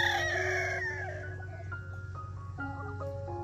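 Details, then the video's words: Welsumer rooster in a flock during the morning rush: a loud, hoarse crow fills the first second, sliding downward and fading, followed by steady music notes playing over a low hum. "Morning Rush My Welsumer Flock Of chickens"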